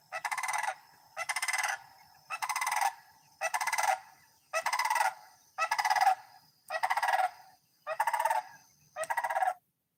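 A Sandhill Crane gives nine loud, rolling, trumpeting calls, each about half a second long, repeated roughly once a second. A faint steady tone hums in the background.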